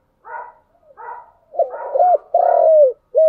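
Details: Two soft, husky lead-in notes, then loud, mellow coos from a spotted dove, ending on a long falling coo; the cooing styles are named chiêu and thúc.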